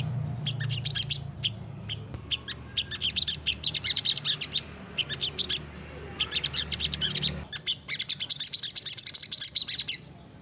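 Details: Olive-backed sunbird in energetic 'gacor nembak' song, meant as a master recording to prompt other birds: fast repeated high chirps in rhythmic bursts, ending with a loud, shrill trilling flurry.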